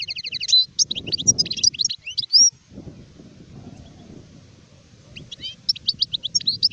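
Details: European goldfinch, an adult, pouring out fast liquid twitters and chirps, pausing, then resuming the tinkling phrase; low rumbling noise sits beneath.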